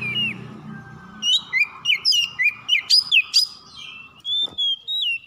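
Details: Kept white-rumped shama calling in the morning while recovering from stress: a rising whistle, then a quick series of loud clipped whistled notes and slurs, ending in a few drawn-out falling whistles.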